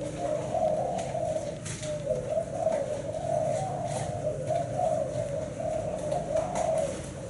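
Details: Spotted dove of Thai black-spotted strain singing its seven-note 'bảy sị' cooing song: low, soft, wavering coos run almost continuously, swelling and dipping over several seconds above a steady low hum.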